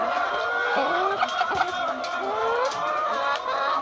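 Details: Backyard chickens with a rooster; harmonic, drawn-out vocal notes rising and falling across the clip, with short clucks mixed in and possible human voices in the background.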